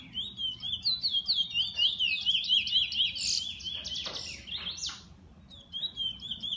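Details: Bullfinch kept by an owner, singing rapid high zigzag warbling notes in a steady run, with brief bursts of harsher chirps midway, then the zigzag phrases resume near the end; faint low background hum.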